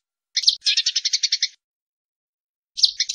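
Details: Eurasian tree sparrow fighting sounds for training songbirds: a squeaky note followed by a second-long burst of harsh, evenly pulsed chattering, silence, then another squeaky note starting a new chatter.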